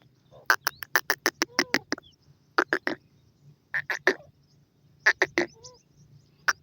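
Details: Iranian partridge hen and chicks while feeding: bursts of short, hard, clicking notes fired in quick runs, then pauses and scattered single clicks, with a few brief soft squeaks and a steady low hum behind.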